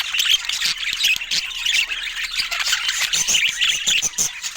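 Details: Budgerigars in natural Scandinavian light giving a continuous stream of harsh squawks and quick high chirps, several birds overlapping in busy chatter.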